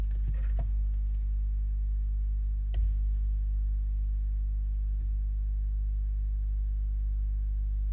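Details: A steady low hum continues with scattered sharp clicks and taps, mostly near the start, and no animal voices.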